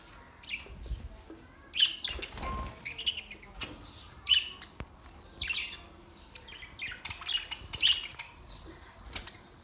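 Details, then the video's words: Colourful budgies at play, recorded June 14, 2023: short bright chirps and warbled notes come in uneven bursts, roughly one every second or so, with a few soft thumps and flutters between them. "Beautiful play budgies birds"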